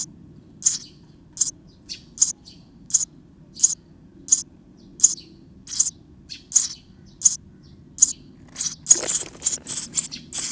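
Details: Nestlings calling inside a bird house on 19 May 2023, very active. Thin, high chirps repeat steadily about every three-quarters of a second. Near the end they speed into a denser burst of overlapping calls over a low hum.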